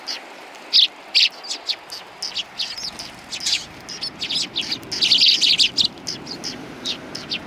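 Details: A group of sparrows on a bench at a Tenmangu shrine on 21 January 2020 chirps busily, quick high tweets tumbling over one another, growing denser toward the end, with low outdoor rumble beneath.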